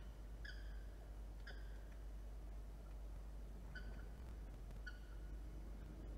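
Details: Peregrine falcon calling at the nest in NSW during September incubation, three eggs in the scrape. Four short, fairly faint harmonic calls come in two pairs over steady low camera hum and background noise.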